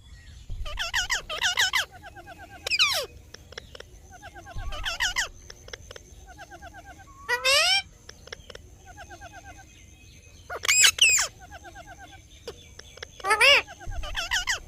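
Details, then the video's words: Indian ringneck parrot chirping: loud, harsh, sweeping screeches in short bursts every few seconds, with softer repeated warbling chirps between them over a steady low background hum. "Parrot Chirping Sounds / Voice"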